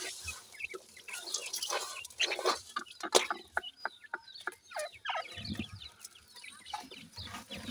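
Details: Feeding, playing grey francolin chicks call in rapid, irregular high chirps and short peeps, interrupted by sharp clicks and brief rustling bursts, with the chirping steady throughout.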